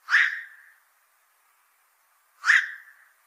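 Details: Two coarse, barking squawks from a black-crowned night heron, about two and a half seconds apart, each sharp at onset and trailing off; the bird is said to raid fishponds.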